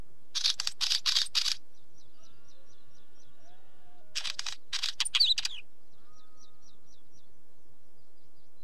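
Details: Wheatear calling in two separate bursts of harsh, rattling, crackly notes, the second ending in a thin whistled rise. Quiet gaps between them carry faint, steadily repeated chirps from distant birds.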